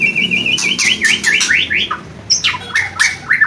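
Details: Kretekan and whistling from a white-rumped shama: a run of rising whistled notes delivered rapidly, then sharp crackly rattles and higher swooping whistles, loud and close, over faint low hum.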